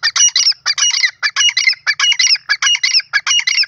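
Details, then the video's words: A teetar, or grey francolin, gives loud, grating, squawky phrases in a fast, near-regular series of about four bursts per second, each bright and clipped. The calling is uninterrupted against a silent background. "grey francolin bird call teetar bird beautifull calling"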